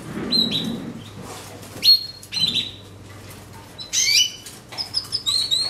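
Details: Canaries sing on Oct 12, giving short bursts of bright, high chirps and quick falling whistles separated by brief pauses, over soft wing-flutter and a faint low hum.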